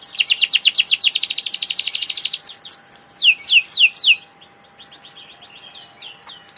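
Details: Canary delivering a rapid high trill followed by several loud descending whistled sweeps, then fading into softer scattered twitters near the end.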